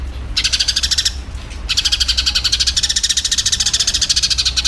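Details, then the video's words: Eurasian tree sparrow calling in a fighting state, meant for training songbirds: a short burst of quick, shrill chips, a brief gap, then a long unbroken stream of rapid chirping; soft low hum underneath. "MASTERAN ANTI ZONK Gereja Tarung"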